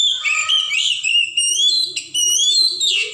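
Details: Wild Oriental magpie-robin delivering a continuous, busy stream of high whistles and slurred notes with few pauses and a faint low tone running underneath.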